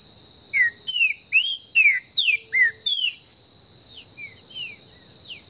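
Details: Green-winged saltator in Brazil, an esquenta warm-up song recorded in the bush: about seven loud, clear, downslurred whistled notes in under three seconds, then a few softer ones, over a steady high insect drone.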